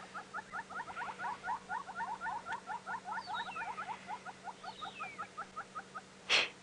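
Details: A pair of Southern Yellow-billed Hornbills calling during their courtship display on a termite mound on a sunrise safari drive, May 17; rapid clucking notes in a steady series of double-tiered pulses, a faint descending whistle from another bird, and a brief knock at the end.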